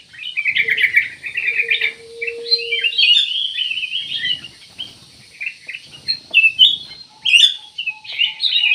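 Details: Black-naped oriole delivering loud, busy song of twittering, warbled notes in repeated bursts, interrupted by short pauses; a faint steady low tone sounds briefly early on.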